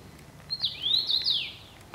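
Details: Unidentified skittish wild bird singing: a short run of thin, high whistled notes sliding up and down over about one second, over a quiet outdoor background.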